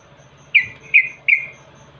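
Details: Yellow-vented bulbul, used as a lure call, giving three quick, bright chirps that slur downward, spaced under half a second apart, over faint low hum.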